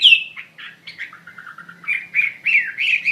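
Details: Hwamei (wambi mandarin bird) in active song: a brief, softer sequence of warbled, gliding whistles, ending in brighter wavering notes.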